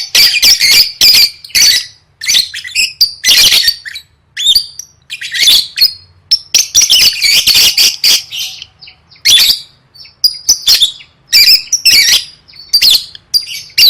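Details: Lovebird gacor gantang song for contest training: long stretch of loud, harsh chattering and squealing bursts, nearly continuous with only brief breaks.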